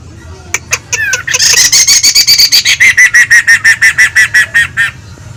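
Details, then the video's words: Actively singing beginner laughingthrush: a few scattered sharp clicks and a brief whistle, then a loud run of rapid, evenly spaced chattering notes, roughly three per second, holding steady pitch to the end. "Burung GACOR Poksay Pemula"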